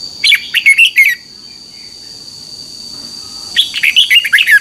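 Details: Red-whiskered Bulbul, a caged bird, singing a training song meant for other birds to learn: a fast bubbly phrase of five notes, a pause of over two seconds, then a longer phrase, with a constant high-pitched hum behind.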